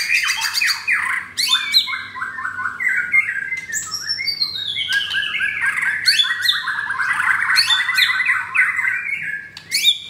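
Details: White-rumped shama, a captive-bred pied bird with coarse song material, held in a cage in Kemayoran, Jakarta, on a Saturday morning. It pours out a long, dense medley of harsh chattering notes, swooping slurred whistles and descending rapid trills.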